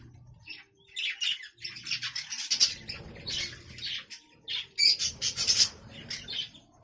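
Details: Captive budgerigars in a new breeding colony, where nest pots hold chicks and eggs, give bursts of high, scratchy chirps and squawks in irregular clusters, separated by short quiet gaps and low handling noises.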